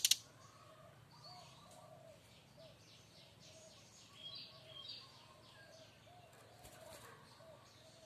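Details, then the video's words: A brown-chested jungle flycatcher from Bali sings in the loud chattering kretekan keras style, described as a fighter: varied warbled and whistled phrases, from low mellow notes to high sharp ones, after a brief sharp click at the start. "Kretekan keras srdc Bali"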